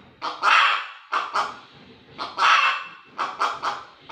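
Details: Hen's harsh repeated cackle: a long coarse squawk followed by two or three shorter notes, the cycle heard twice in about four seconds.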